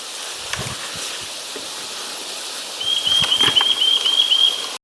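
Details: Eurasian nuthatch song, recorded 29 March 2023: a fast run of thin repeated whistled notes on one high pitch in the second half, over a steady background hiss with a few soft knocks.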